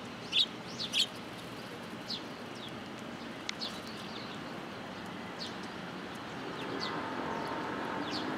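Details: Sparrows arriving for food at a Tenmangu shrine in Japan on 14 October 2022, giving two loud sharp chirps at the start, then scattered softer chirps over a low hum that rises toward the end.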